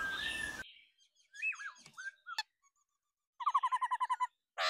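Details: Female laughingthrush calling to stimulate males: a loud steady whistle at first, then scattered slurred whistles and a sharp click, ending with a rapid burst of about nine repeated chattering notes.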